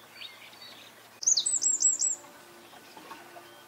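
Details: Eurasian wren giving a brief, loud burst of very high, sharp repeated notes lasting about a second, with faint bird calls before and after.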